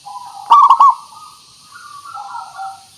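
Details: Local zebra dove lure song: one loud, rapidly pulsed coo phrase framed by quieter, wavering hummed notes.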